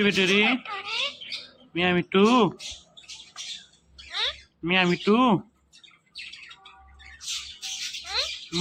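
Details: Ringneck parrot kept as a pet talking in short speech-like bursts of rich, wavering harmonic tones, separated by pauses and softer squeaky chatter, indoors.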